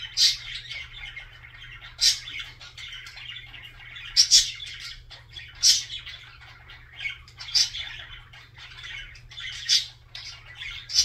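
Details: Budgerigar singing: continuous chattering warble of scratchy, buzzy notes between 2 and 8k, with louder sharp chirps roughly every two seconds and a steady low hum underneath.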